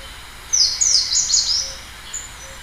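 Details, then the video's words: A single brief, high phrase from a Slate-blue seedeater: a quick run of bright, slurred whistles lasting under a second, then faint background noise. "O canto do Negrinho mexicano"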